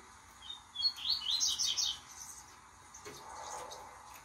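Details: Two-month-old Blue-black grassquit chick kept in song training ('encarte') toward the 'tui tui zero zero' style, just beginning to sing: a brief burst of high, scratchy, rapid chirping notes lasting about a second, then faint lower background noise.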